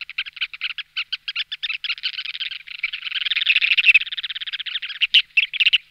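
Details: Ruddy turnstone (Arenaria interpres) gives a fast, dry, stuttering rattle of clipped notes that speeds into a continuous chatter, then breaks back into short bursts.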